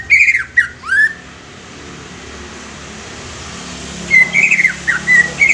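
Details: Young greater green leafbird song used to set untrained leafbirds singing: a burst of downslurred and rising whistles, about three seconds of near silence with faint hum, then a fresh string of high warbled notes.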